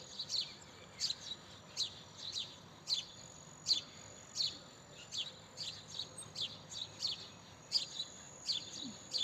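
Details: House sparrow giving a long run of crisp, clipped chirps at a fairly steady pace, about one every half second or so, over quiet background noise.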